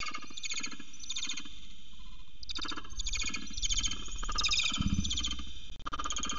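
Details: Peregrine falcon Xavier tiptoes along a ledge with prey at CSU Orange on 12 January 2020, giving harsh, scratchy notes in quick repeated bursts over a steady low rumble of wind and distant traffic.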